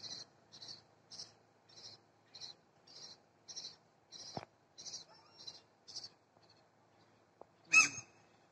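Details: Herring gull chick stranded on a city street in Trondheim, Norway, with a parent nearby trying to look after it: a faint, regular series of short, high peeping calls about every 0.6 seconds, then one louder sharp cry near the end, over low background hum.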